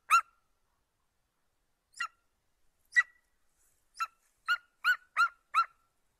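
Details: Eagle calls: spaced, harsh, yelping notes that come faster and louder toward the end, finishing in a quick run of four. The background is silent.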